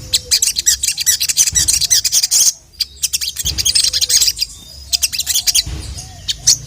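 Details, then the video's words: Ruby-cheeked sunbird in vigorous song calling a male, delivering busy, high twittering phrases and quick chip series in several bursts, with a soft low whistle now and then. "SOGON GACOR FULL ISIAN DENGAN SUARA BURUNG SOGON YANG GACOR MEMANGGIL JANTAN INI"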